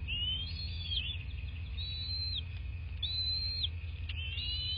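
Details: Bald eagle at its nest in southwest Florida, picked up by a nest camera on 26 February 2024 at 09:21 in the morning; thin, high whistled notes that rise and fall in four separate phrases over a steady low hum.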